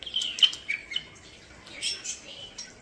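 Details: Pet common starlings in a bird room, with whistled notes near the top of the range, one loud sharp whistle, and soft chirps trailing off.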